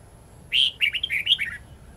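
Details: Wild-style red-whiskered bulbul song with long twisting notes, played for young birds to learn: a bright whistled note, then five or six rapid slurred notes dropping slightly at the end, clean background.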